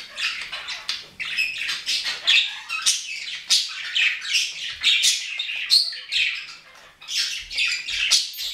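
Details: A budgerigar chatters busily, mixing scratchy squawks, clicks and quick chirping phrases in an unbroken run with short gaps near the end.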